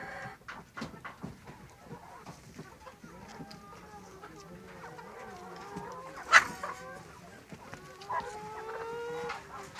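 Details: Layer hens, domestic chickens kept for eggs or meat, cluck and murmur in a busy flock, with soft overlapping calls, a few sharper squawks and one loud clatter partway through.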